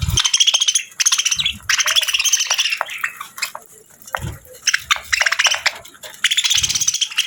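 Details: Budgerigar kept as a pet chattering in fast, buzzy bursts of about one second, separated by short gaps, mixing ticking clicks and thin squeaky notes, with faint low knocks now and then.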